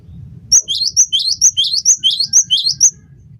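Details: Cinereous tit singing in a tutor recording used to prompt caged songbirds to sing: a fast, even series of clear two-note whistled phrases, high then lower, repeated about nine times, with a low rumbling hum beneath.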